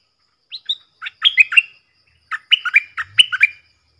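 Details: Loud, clean phrases from a stripe-throated bulbul decoy bird, used for training young birds and luring wild ones: two groups of rollicking, slurred whistled notes with a short pause between them.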